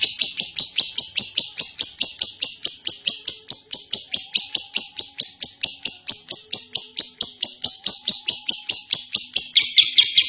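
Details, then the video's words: Lovebird, a first-place contest winner, in long ngekek chatter: sharp high clicks and notes repeated over two per second for ten seconds, with a higher burst at the close. "Love Bird Juara 1 ngekek 3 menit"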